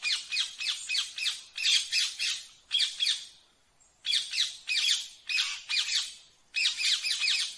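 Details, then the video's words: Rose-ringed parakeet utters bursts of harsh, squawky notes in quick runs of three to five, with short pauses between the groups and a quiet background. "Canto do Periquito Ring Neck"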